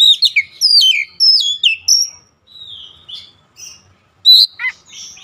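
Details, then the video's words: Oriental magpie-robin singing to excite other birds: rich sequence of clear whistled notes sweeping down and up, sharp chips and a short burry phrase, with quiet gaps between phrases. "KICAUAN MENAIKAN EMOSI KACER"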